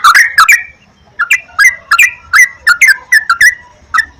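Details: Yellow-vented bulbul lure song meant to get kept birds singing morning, noon and night: loud slurred chirps in quick pairs, a brief pause, then a lively series of rising and falling notes.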